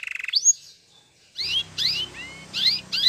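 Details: Canary training song: a burst of rapid pulsed high notes, a gap of near silence, then a few separate rising and falling whistled phrases in quick succession.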